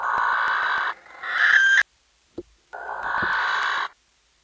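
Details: Male barn owl in a nestbox in the Netherlands, at night in mid-March, stomping his feet and screeching before mating; two long, harsh hissing screeches of about a second each, with soft thumps between them.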